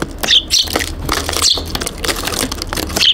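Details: Several Eurasian tree sparrows on a balcony, 2 January 2023, New Year: brief high chirps scattered among constant clicking, pecking and shuffling noises close to the camera.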